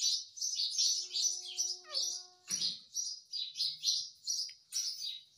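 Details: Ring-necked parakeet, a pet bird, chirping indoors: rapid high twittering pulses about twice a second throughout, with a few steady whistled tones and a short burst of noise near the middle.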